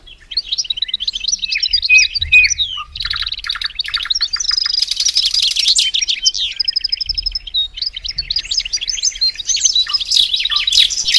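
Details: Reverse hybrid goldfinch in long continuous song: tumbling high twitters, sharp chirps and repeated buzzy rattles running unbroken for over ten seconds.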